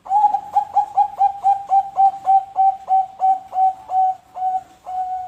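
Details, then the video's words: Zebra dove of the Bangkok type singing a lure song meant to prompt other birds to sing: rapid staccato coos, about three per second, slowing slightly and ending in longer drawn notes. "pancingan perkutut Bangkok"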